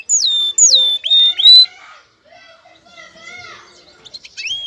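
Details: Male canary ready to breed, calling to a female to prompt mating: three loud, clear whistles that slide steeply downward then hold level, followed by softer, faint warbling phrases.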